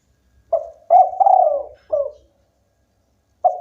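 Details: Local spotted dove in lively song, one phrase of a short coo, a long wavering falling coo and a clipped end note, another phrase starting at the close; faint low hum beneath.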